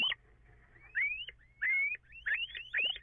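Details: Little owl before dawn on 14 April, after 04:56, with echo in the recording: a series of clear, rising whistled kiew notes, each ending in a sharp yelp, spaced irregularly over three seconds.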